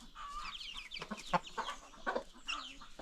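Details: New baby chicks and free-range chickens on a farm: high rising-and-falling peeps mingle with short clucks, plus a brief low hum near the end.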